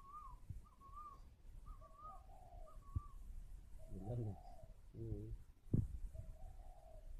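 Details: Spotted dove at a bird garden in Ba Vi, Hanoi, Vietnam, cooing while incubating; low, soft, wavering coo phrases recur every couple of seconds, with higher wavy chirps from other birds early on and a few sharp knocks.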